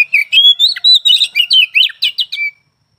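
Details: Oriental magpie-robin kept in a cage, delivering a fast rich run of whistled, rising and falling notes, about a dozen quick elements in two and a half seconds before stopping abruptly.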